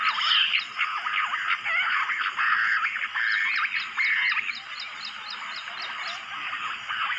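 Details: Bush quail in jungle, drawn closer by phone playback, locally named lahori, juha or gundri: a loud jumble of chirrups and quick warbling whistles, easing toward the end, while insects tick steadily in the background.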